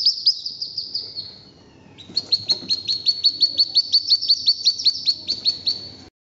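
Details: Mixed hooded merganser, wood duck and mallard ducklings calling: a few sharp high peeps fade into a thin trailing whine. Then comes a rapid, even series of loud down-slurred peeps, about four per second, with faint rustling beneath.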